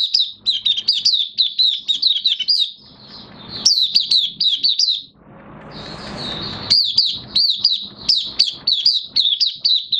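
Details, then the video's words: Oriental white-eye, a caged bird in minor moult (3 June 2022), pours out long rapid strings of high, sweet downslurred chirps, twice interrupted by brief bursts of rustling or fluttering noise. "Mata Puteh Kitaro V1 buka sing"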